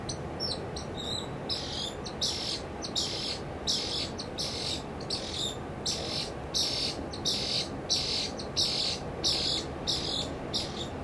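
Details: A Pied kingfisher (Ceryle rudis rudis) at Langue de Barbarie, Senegal, in April 2010 gives sharp, high twittering chirps about every half-second to second over a steady low rushing background like water or wind.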